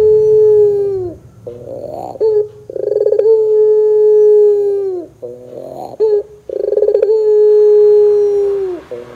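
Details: Lure song of a caged puter pelung (Barbary dove). Three long, steady coos, each ending in a downward slur, separated by brief rough murmurs and short clipped notes. The phrases repeat roughly every three seconds.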